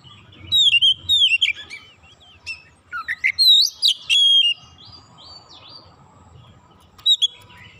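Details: Oriental magpie-robin song meant to stir other magpie-robins to sing, a dense burst of sweet whistles, buzzy slurs and high swoops lasting several seconds, then a quieter gap before a final short phrase; low hum throughout.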